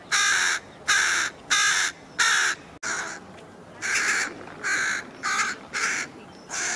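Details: Two young carrion crows on Buck Hill chase their parents, begging for food with harsh, drawn-out caws, about ten in under seven seconds, loud and evenly spaced, with a distant caller answering in between.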